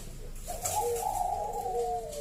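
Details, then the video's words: Local zebra dove, a loud, strong singer used to lure other zebra doves into singing, delivering a soft, mellow cooing phrase of about one and a half seconds with a wavering, slightly tremulous tone over a noisy background hiss. "Perkutut lokal Gacor SUARA ASLI KRISTAL MERDU Ampuh Mengundang Bunyi Semua Perkutut Lokal"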